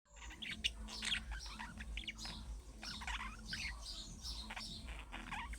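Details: Budgerigars calling in a steady, faint warbling chatter of many overlapping chirps and short squeaks, played to prompt pet budgerigars to answer, with a low background hum throughout.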